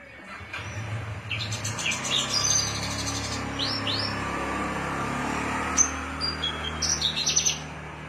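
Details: Kept Javan bush lark from Cilacap, undergoing taming, giving cing ciu song: scattered sharp chirps and short upslurred whistles, a few high ringing notes near the end, over steady background hiss and low rumble.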